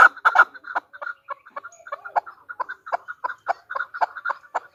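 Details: A female chukar partridge calls in softer, uneven chuck notes that open with a brief loud burst, then scattered clucks and short pairs.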